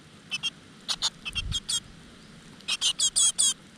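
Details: Great tit nestlings in a nest in a rock crevice, as the mother brings insects, give a rapid chorus of high, thin, scratchy begging notes in two bursts, each a string of short squeaky calls.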